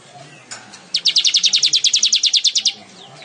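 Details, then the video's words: A weaver sings a fast, dry, high trill of about twenty even pulses over roughly two seconds, preceded by a faint chirp, against a quiet background hum. "Burung Manyar gacor"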